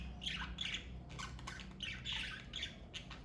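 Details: Short bright chirps and squawks from a pet parakeet family come in quick pairs, over a faint low indoor hum.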